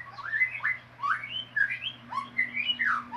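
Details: Ngeriwik-style song of a white-rumped shama: a close run of bright, sliding whistled phrases, rising and dipping, each under half a second, with a faint steady low hum beneath.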